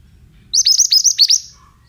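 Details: Oriental magpie-robin, male, sung as a lure for other birds: a single loud, fast phrase of about eight sharp, high, down-slurred chirps lasting under a second.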